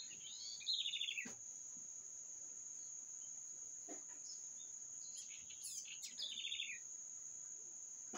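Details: Bird song heard as brief descending chirpy phrases early on and a burst of twittering later, set against a constant shrill insect-like drone.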